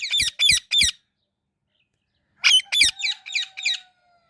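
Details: Indian ringneck parrot calling in quick, harsh squawk bursts, three in a row, a pause of over a second, then five more in rapid series.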